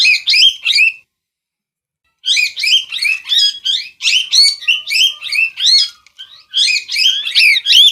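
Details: A parrot squawks harshly: a short trio of screeches, a one-second silence, then a long, dense stream of grating calls to the end.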